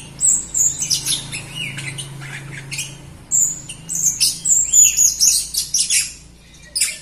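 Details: Jalak Rio myna singing gacor (in full voice), played to spur other Jalak Rio birds that sing reluctantly; bursts of high squeaky whistles and harsh chattering notes in quick irregular runs over a low steady hum.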